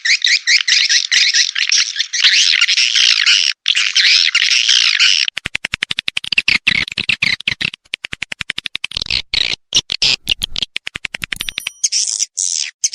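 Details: Rainy-season swiftlet sound: a dense, buzzy, high chattering trill for about five seconds. It then gives way to rapid dry clicking mixed with fainter twitters, and the chatter rises again at the end.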